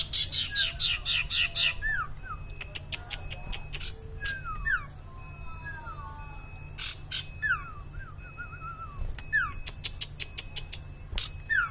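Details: Common iora, called sirtu or cipaw locally, singing actively: bursts of rapid buzzy trills, then sharp clicks and short whistled downslurred notes repeated several times a second, over a steady low hum.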